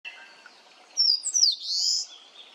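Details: On Awaji Island, Japan, where it breeds, an Eastern crowned warbler sings a quick run of high, thin notes ending in a long buzzy drawl, over faint background birds.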